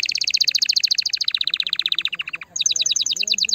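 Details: Canary singing to stimulate a female: a rapid rolling trill sliding slowly lower in pitch, broken by a brief pause, then a higher, quick series of repeated notes.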